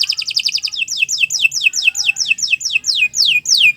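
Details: Canary song used as a training recording for other birds, loud and continuous: rapid trills high in pitch, then a run of descending whistled sweeps repeated about three to four times a second.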